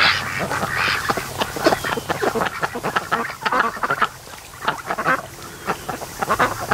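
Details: Several lazy ducks from a raised flock, 92 days old, rest near a creek mouth at a lake in afternoon sun. They utter a steady string of short, rough quacks with brief quieter gaps.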